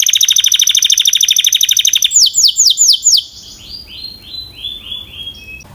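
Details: Canary with a quick high rattling trill, then several loud arched whistled notes, fading into softer, lower descending notes.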